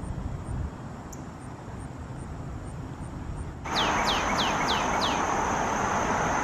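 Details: Northern Cardinal in its natural habitat on forest trails in Illinois, USA, sings a run of five sharp, downslurred whistles, about two a second, over a steady traffic-like roar; faint high ticking comes before.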